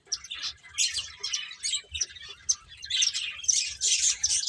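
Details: Chirping finches at play make irregular, rapid high tweets, about two per second, in overlapping clusters.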